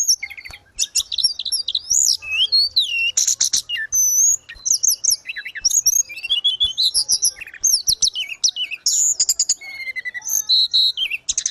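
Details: Energetic gacor song of a grey-cheeked bulbul, the local tledekan gunung, kept for training caged birds: continuous high, twisting whistles and sharp chirps packed closely together with barely a pause across the whole stretch.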